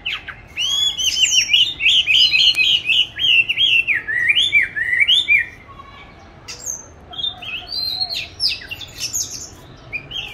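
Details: Caged oriental magpie-robin, kept since July 2020, recorded March 2021 while hung in a good place to practise singing; a rapid rolling string of wavering whistled notes, then a pause and scattered higher whistles.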